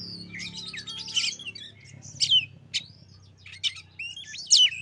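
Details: White-rumped shama lure song to make a bird sing: whistled and chattering phrases over a noticeable low droning hum.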